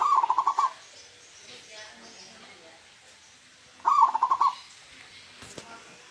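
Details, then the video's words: Wild local zebra dove with a "huuurrr" voice gives two short phrases of fast, stuttering cooing pulses, each under a second, about four seconds apart, with quiet pauses between. "PERKUTUT LOKAL ALAM SUARA HUUURRR"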